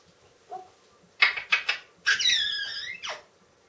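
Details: Female pet parrot that mimics words, barking and howling, calling indoors; a soft low note, then three sharp chirps, then a loud drawn-out harmonic squeal that falls away abruptly at the end.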